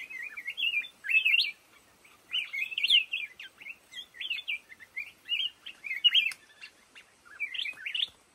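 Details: Black-crested bulbul singing in a thicket of lồ ô bamboo: bright, warbled phrases with quick rising and falling notes, delivered in short bursts about every second, with brief pauses between groups.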